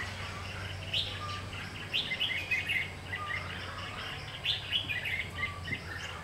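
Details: Red-whiskered bulbul, a decoy bird used in trapping, singing to provoke fighting; short bright warbled phrases with quick up-and-down notes, repeated in bursts every second or so over a steady low hum.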